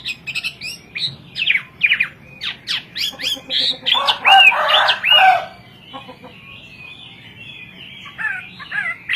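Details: Varied Hwamei song in kowor-kowor style: quick whistled slurs and chirps, a louder harsh, rich burst midway, then quieter sweeping notes trailing off.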